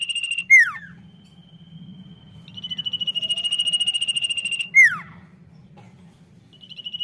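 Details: Energetic common iora song: a short trill cut off by a steep downward-swept note, then a faint level whistle and a long, evenly pulsed high trill, with a second falling sweep and a fresh trill at the end.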